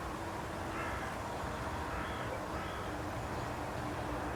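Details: Carrion crow perched on a stake at Aranoltza, Zamudio, Txorierri, Bizkaia, in 2020, giving a few faint, hoarse caws. A steady low rumble of distant traffic lies beneath them.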